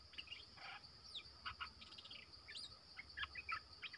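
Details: Streak-eared bulbul used as a lure bird calling in wild birds: short sharp chirps and quick clusters of rising and falling notes, several per second and irregularly spaced, over a steady high cricket drone.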